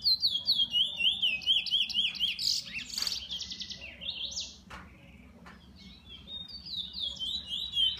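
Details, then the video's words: Owner-kept bullfinch delivering quick, repeated zigzag whistled notes, broken in the middle by scratchy chirps and sharp clicks before the high warbling phrases return; low steady background rumble. "Bullfinch 2"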